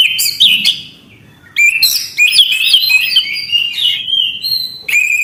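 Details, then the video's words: Orange-headed thrush in full, non-stop song: an opening whistle, a short silence, then dense tumbling phrases of chirps, trills and sweet drawn-out whistles. "Anis kembang gacor anti macet bunyi"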